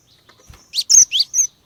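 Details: Female Cinereous tit luring males into song with four loud, sharp chirps in quick succession, alternating down-slurred and flat high notes, after a soft low knock.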